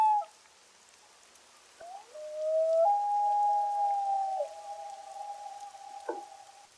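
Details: A Common Loon gives its wail, a call loons trade back and forth to locate each other: a low note that steps up and holds for several seconds before fading, over a soft hiss like light rain.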